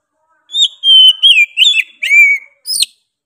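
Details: Oriental magpie-robin in full, persistent song: a clear, high whistled phrase that falls and slurs downward, followed by a quick run of short twisting notes and a final sharp burst, with no other sounds.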